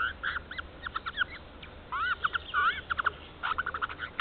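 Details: Jay giving a morning "song" near an Estonian black stork nest on 30 March 2014, recorded by a nest camera: a varied run of squeaky, clucking and whistled notes, some rising and falling, in short bursts.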